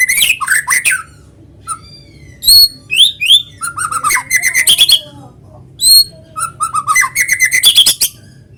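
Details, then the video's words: White-rumped shama singing energetically, natural lure to set other shamas singing: varied phrases of loud clear whistles, rapid chattering trills and sliding notes, separated by short pauses. "PANCINGAN BURUNG MURAI GACOR SUARA ALAMI BIKIN MURAI BATU IKUT BUNYI"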